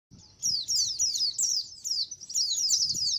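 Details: A colony of white-eyes used as a lure: thin, high chirps and short descending trills come in bursts of overlapping notes, with brief pauses between clusters over a quiet background.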